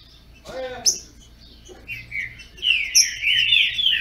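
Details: Trinca-ferro, the green-winged saltator, kept by a Brazilian breeder and competing in song. A brief human voice comes early, then a rich, warbling run of whistled notes swells in the second half.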